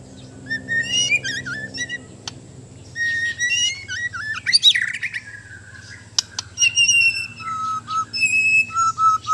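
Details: White-rumped shama from Borneo during mental training, pouring out a varied song of wavering whistles, slurred glides and high chattering notes, with clicks and a continuous low hum.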